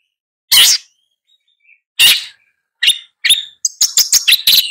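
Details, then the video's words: Long-tailed shrike: two separate harsh rasping notes, then a quickening series of short clicking, ticking chirps near the end. "Long-tailed Shrike Bird Song, Sound, Call, Chirp, Melody"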